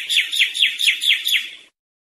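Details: European goldfinch song, offered as an error-free tutor recording for teaching young birds: a run of six repeated downward-sweeping chirps about every quarter second, bright and clean, ending abruptly with no other sounds.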